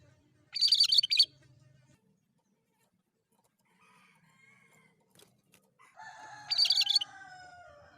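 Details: Cucak kerinci, the cream-striped bulbul, singing lively as a lure for birds: two fast, high chattering bursts several seconds apart, the second overlapped by a rooster's drawn-out crow.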